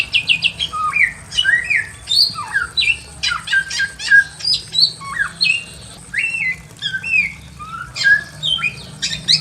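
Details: Red-billed leiothrix in a simple aviary singing a lively run of clear whistled phrases, rising and falling, about one and a half notes per second with quick chattering between.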